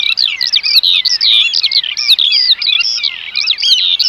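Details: Several Eurasian oystercatchers piping together. Shrill, ringing, slightly wavering notes tumble over each other in a continuous excited stream.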